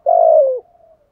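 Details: Decoy spotted dove kept to lure wild doves, giving a single smooth, low coo that holds steady and then slides slightly downward before fading into a faint trailing tail. Quiet background.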